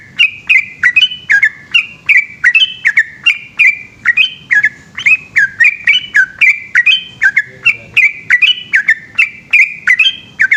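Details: Yellow-vented bulbul pouring out a long, rapid 'ropel' song at night. Over ten seconds there is a dense, nonstop string of sweet, warbling whistles that bounce between higher and lower notes.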